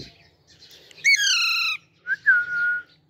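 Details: Baby Alexandrine parakeet, a green ringneck parrot, giving two harsh, drawn-out squawks that slide downward. The second call is preceded by a short rising note, and the room is otherwise quiet.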